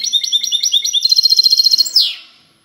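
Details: Clean-style song ('cante limpio') of a goldfinch hybrid, 19 March 2020: quick repeated whistled notes building into a fast, even, metallic trill, ending in a downward-sliding note.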